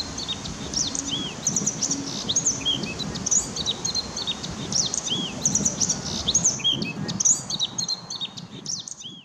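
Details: Eurasian blackcap (Sylvia atricapilla) singing quick, high chirps and fluty warbled notes in dense, busy phrases, with other birdsong mixed in and a low background rumble.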